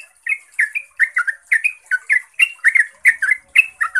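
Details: Yellow-vented bulbul with a clear, long rapid song for luring other bulbuls into singing. After a brief silence, chirpy notes in quick doublets and triplets bounce up and down continuously, backed by a thin high hiss.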